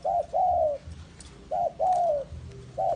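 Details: Spotted dove kept as a bait bird for trapping in the forest, giving low cooing calls: a short coo followed by a longer, slightly falling coo, repeated about three times.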